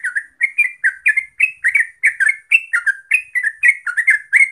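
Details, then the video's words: A yellow-vented bulbul pours out a fast run of bright, gurgling double notes, each burst following closely on the last, a loud and steady lure song for prompting birds to sing energetically. "Pancingan Trucuk Biar Gacor Ropel"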